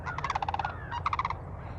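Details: Sandhill cranes heard at a distance on a frosty, cold Florida morning with snow-like frost on the ground, jumping about; two bursts of rolling, rattling, trumpet-like calls of about eight quick pulses each, over a low rumble of wind.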